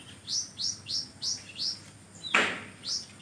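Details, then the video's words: Magpie-robin in full song, filled with imitated notes: a quick series of five high upslurred whistles about every third of a second, then one loud sharp downward note and another whistle. "konin gacor isian kapas tembak!!!"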